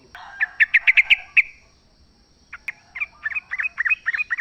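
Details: In natural habitat, a wild sooty-headed bulbul delivers a short run of bright sharp chirps, falls silent for a moment, then resumes with fast, rising-and-falling bubbly notes; recorded to coax caged birds to sing.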